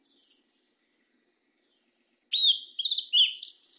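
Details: Brief 'mateiro do sul' song of a Yellow-legged Thrush: a thin high note, a long pause, then a short bright phrase of whistled slurs and squeaky twitters.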